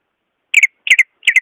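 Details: Greater green leafbird, natural voice used to prompt leafbirds that are slow to sing: three bright doubled chirps, each a pair of quick high notes, spaced about a third of a second apart, on a silent background.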